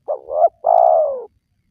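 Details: A single spotted dove phrase, played to make wild doves call: a wavering two-part coo rising at its end, then a sustained, gradually falling hoarse coo.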